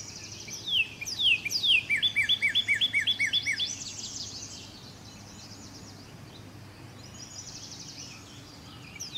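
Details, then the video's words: Cardinal singing actively: a fast series of about nine clear, downslurred whistled notes repeated evenly over three seconds, with a few sharper higher notes before them, then quieter chirps from other birds over faint background noise. "burung cardinal gacor , suara merdu burung cardinal"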